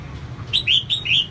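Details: Female red-whiskered bulbul, whose singing is used to excite male birds, gives a quick phrase of four bright, liquid whistled notes, the last rising slightly, over a low background hum.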